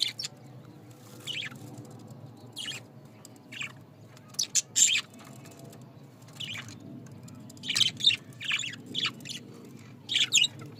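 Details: Caged pet budgerigars chatter in short bursts of high squeaky chirps separated by quiet pauses, the calls coming in small clusters over a faint steady background hum.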